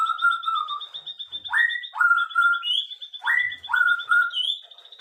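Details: Birds singing in the afternoon: loud, clear whistled notes that sweep upward and then hold level, given in pairs about every two seconds, over a steady, rapid, high-pitched pulsing trill that runs throughout.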